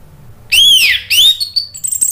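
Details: Orange-headed thrush in Indonesia singing in 'ngeplong' style, played as a lure to prompt other birds to sing: two loud arched whistles, each rising then falling, followed by thin high chirps.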